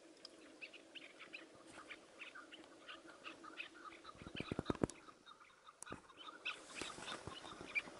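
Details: Partridge calling in a hunt using a tethered decoy, a continuous series of short, clipped chirps repeated rapidly, interrupted by a cluster of dull thuds and rustles before the calls resume.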